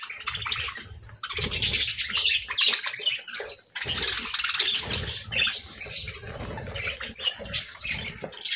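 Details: Companion parakeets chattering continuously in busy, scratchy bursts of chirps and squeaks, with brief pauses near the one- and four-second marks and low thumping sounds underneath.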